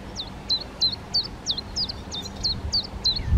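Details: Black redstart family, darker male and paler female parents feeding fledglings already out of the nest; high, sharp, hooked call notes, each falling then flicking up, repeated about three times per second, clear over faint low rumble.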